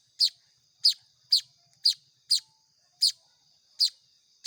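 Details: Begging Baya weaver nestlings being hand-fed: eight loud, rasping, high-pitched chips at uneven intervals of about half a second to a second.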